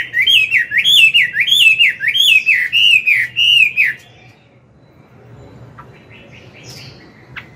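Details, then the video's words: A mature wild-caught Chinese hwamei singing in the morning to train a young bird: about eight rhythmic looping whistled notes over four seconds, then quiet with faint distant chirps. "Luyện giọng họa mi hót sáng, kích bổi mau căng lửa."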